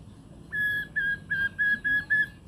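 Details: White-rumped shama from Borneo singing: six pure, steady whistled notes on one even pitch, each about a third of a second, evenly spaced, ending with a short sharp click, against quiet low hum.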